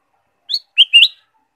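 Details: Ruby-throated bulbul (kutilang emas) singing as a lure for caged birds: a short clear note followed by a slurred two-part warble climbing upward, loud and clean against silence.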